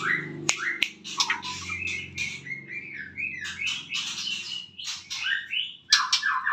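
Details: Morning song of a kept white-rumped shama, a fast medley of clear whistles, upward sweeps and rasping chatter with a couple of sharp clicks, over a faint low hum.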